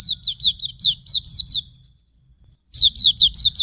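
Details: Master song of Hume's white-eye (pleci auriventer): quick high chirping notes, each slurring downward, run together for a second and a half, then silence, then a fresh burst of the same rapid chirps.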